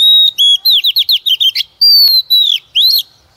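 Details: Oriental magpie-robin female, used to prompt males to sing, delivering a loud continuous run of whistled notes and fast looping chirps, then long descending whistles and a final rising slur, with no background noise.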